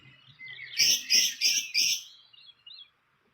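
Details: Fantail at its nest in the wild: four loud, harsh, scratchy notes in quick succession about a third of a second apart, followed by a few faint high chips and then near silence.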